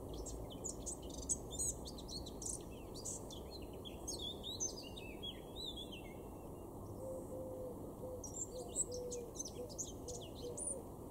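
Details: Weener garden, East Frisia, April 2022: male blackcap gives a lively warbled phrase of tumbling high notes in the first few seconds, then scattered softer notes with faint repeated low tones.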